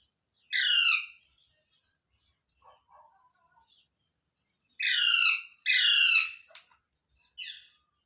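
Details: Rose-ringed parakeet kept as a pet: a harsh screech, a pause filled with faint low chatter, then two loud squawks in quick succession and a shorter final one.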